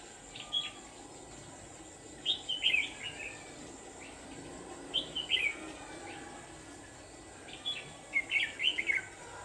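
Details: A red-whiskered bulbul used as a decoy for trapping, recorded late afternoon on 29 November 2018, sings short, lively warbled phrases about every two to three seconds. A steady hiss and a thin high hum run underneath.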